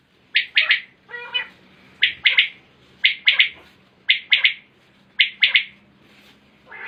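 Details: Batair, the common quail, calling in 2020: crisp three-part phrases at a steady pace near one per second, plus one lower, rougher call early on.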